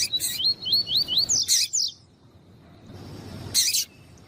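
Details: Male Double-collared seedeater sings with a female calling, meant to excite males: a fast string of looping whistled notes, two harsh high chirps, a pause, then one more sharp chirp.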